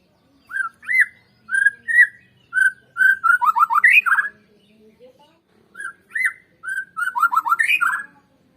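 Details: A lure recording of white-rumped shama song for setting birds singing: rich, slurred whistled phrases repeated in two rising and falling runs, with a quiet pause between them.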